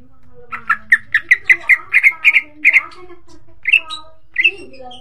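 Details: Greater green leafbird song played as a pancingan, a lure to set other leafbirds singing vigorously: a fast run of about a dozen clear, sharp notes near the same pitch, evenly spaced, then two louder rising notes after a short pause.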